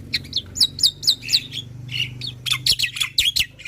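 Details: Black-winged myna singing in an energetic, prolific style, used to prompt other mynas to sing: harsh squawks mixed with high chirps and whistled notes in irregular bursts, with a low steady hum underneath.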